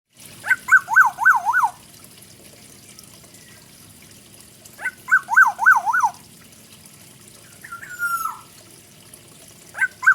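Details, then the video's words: Black-naped oriole, a forest bird, singing a full song with fill-in phrases: a loud, fluty phrase of four rapid rising-and-falling whistled notes, repeated twice with a long pause between, then a short downslurred whistle, in a quiet background. "kepodang hutan full isian"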